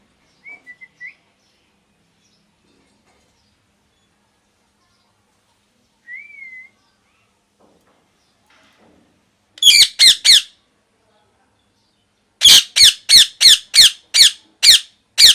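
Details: Loud parrot chirping: a few soft, wavering whistles at first, then two bursts of harsh, rapid chirps repeated about three times a second, each burst lasting a few seconds.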